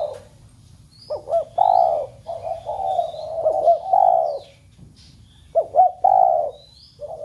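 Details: Spotted dove cooing, used to stir the doves kept at home into cooing: mellow, low hooting phrases in several bursts, each a short rising note followed by a longer drawn-out coo, with soft faint chirps from other birds above.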